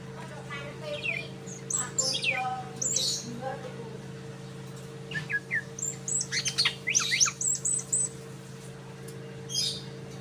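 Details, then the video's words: Greater green leafbird learning the song of the bird locally called sikatan londo: scattered high chirps and squeaky whistles, then a quick run of short rising and falling notes about halfway through, over a steady low electrical hum. "cucak ijo belajar suara burung sikatan londo"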